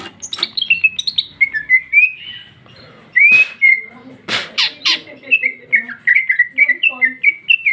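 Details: Energetic ngeplong song of a female greater green leafbird, sweeping whistles and varied mimicking phrases, interrupted midway by sharp noisy bursts, then resuming with quick bright looping notes.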